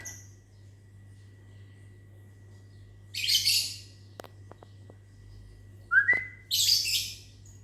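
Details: Morning lovebird in a mini aviary responding when whistled at: a rough, high screech, a few faint clicks, one short rising human whistle, then a second harsh screech burst. Low hum throughout.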